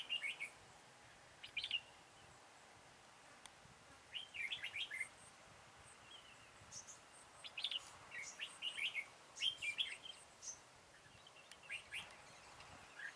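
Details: Red-whiskered bulbul lured by a decoy bird in a trapping session, 13 October 2018, singing its full song; scattered clusters of quick, bubbling whistled notes over a steady hiss of outdoor background noise.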